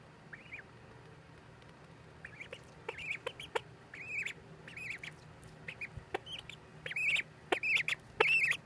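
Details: Several ducklings peep busily, high arched notes repeated irregularly and growing louder and denser toward the end, mixed with sharp taps and clicks.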